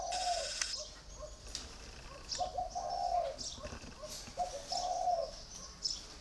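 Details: Four-year caged spotted dove repeating low, hollow two-part coos, a short note followed by a longer purring one, with scattered high chirps from other birds.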